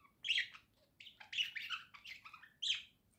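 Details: Pet budgerigar pair singing: a few quick squeaky chirps and short rising and falling warbled notes in separate bursts, over a faint low hum.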